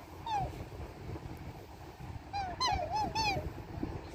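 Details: Australian black swan family in Australia: a descending whistled note, then a quick cluster of rising and falling whistled calls with overtones, over low rumbling background noise.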